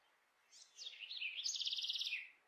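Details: A House Wren, an urban city bird, sings a quick bubbling song of varied notes ending in a rapid, even trill.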